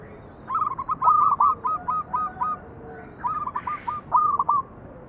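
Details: Manggung song of a local zebra dove (perkutut), played as a lure for other doves: two long runs of rapid stuttering coos, each starting with a rising note and tumbling into many quick repeated notes, about four per second.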